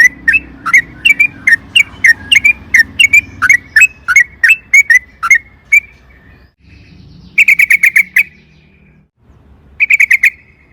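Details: Energetic Sooty-headed bulbul giving a long rolling song meant to provoke other birds to sing; an even string of falling whistled notes for about six seconds, then two short rich bursts after pauses, with low rumble underneath.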